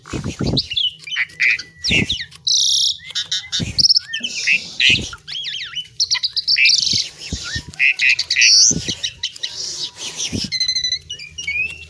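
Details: Long flowing song of the Asian pied myna, called jalak suren, mixing squawky buzzes, sliding whistles and quick chatter, with regular dull thuds throughout.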